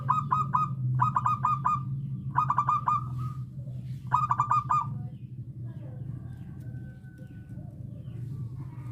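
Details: Local zebra dove recorded as a lure call for trapping wild doves. Four quick bursts of staccato cooing notes, each of five or six beats, repeat about once per second, then fade into quiet with a faint hum.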